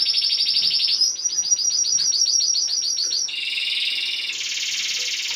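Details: Timbrado canary singing rapid rolling trills, first a steady run of quick pulsed notes, then denser, higher buzzy rolls, all bright and continuous.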